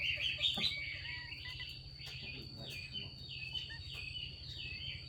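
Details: A female Chinese hwamei in 'xùy' calling to spur males to sing: bright chirps then a series of short downslurred whistles, roughly two to three per second, with a steady high tone and low hum throughout.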